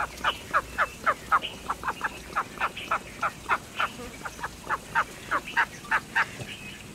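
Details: Mallard quacking: a steady series of short, nasal calls, roughly four per second, over a constant noisy background.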